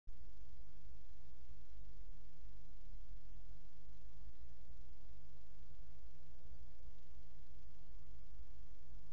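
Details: A steady low electrical hum with faint indoor room noise runs throughout, and no animal calls.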